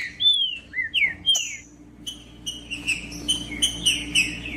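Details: Green-winged saltator in captivity singing to warm up a cold bird: loud, clear whistled notes, first slurred and wavering, then a run of short, bright repeated whistles about every third of a second, over faint background hum.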